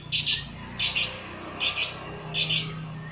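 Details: Agile lovebird provoked by a lure recording, giving four loud, harsh, high double squawks spaced under a second apart, with faint low hum in the background.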